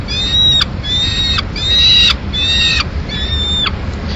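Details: Peregrine falcon chicks in Madrid, 19 May 2016, as the female brings them a pigeon; five clear, whining harmonic calls of about half a second each, spaced roughly every 0.8 seconds.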